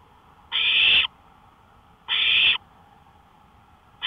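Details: Nighttime porch owl, May 5, 2013 at 1:53 AM, giving two strong rasping hiss-screeches about half a second each and 1.6 seconds apart, a third just beginning, over quiet background.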